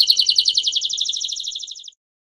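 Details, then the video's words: Canary performing part of a long campainha song played for training young birds. A bright pulsed trill gradually slows and fades, ending in silence after about two seconds. "CAMPAINHA CANTO LONGO DE CANÁRIO 10 HORAS PARA TREINAR E ENSINAR FILHOTES"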